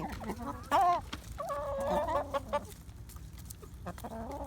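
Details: Sick hen whose crop is full and squishy in the morning without food, making weird drawn-out nasal clucking and groaning calls, with background noise and knocks.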